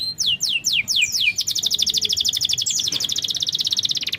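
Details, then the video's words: Canary song used as a lure to make a reluctant bird sing: fast series of high, sharply falling whistles, then a long rapid trill of short repeated notes around the upper register. "Masteran burung KENARI||Pancingan kenari malas bunyi."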